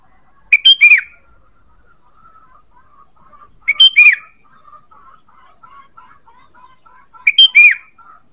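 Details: Sooty-headed bulbul luring call repeated three times at roughly three-second intervals: quick chirps then a falling whistle, over a low, soft continuous warbling in the background.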